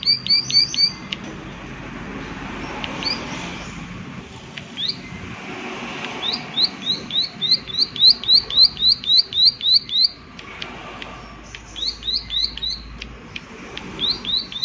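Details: Prinia 'klik klik' ticking arrives in bursts: a few clicks at the start, a fast even run of about a dozen in the middle, then looser, softer groups toward the end. Background noise is light.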